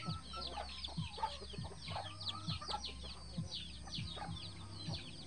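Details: Eleven free-range chicks and their mama hen. Scattered high, down-slurred peeps mix with spaced low clucks roughly every second and a half, over a faint steady low hum.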